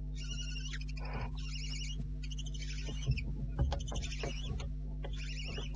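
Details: Barn owl owlets at the nest at night, about two remaining, early July before dawn: short wavering tonal squeaky calls in bursts, with clicks and knocks and a steady low hum from the nest camera.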